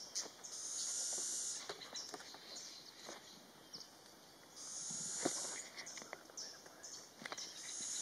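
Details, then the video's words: Flame-throated warbler (Oreothlypis gutturalis) giving very high, buzzy hissing notes about a second long, repeated every four seconds or so, over scattered ticks and a steady faint whine. "Flame throated Warbler"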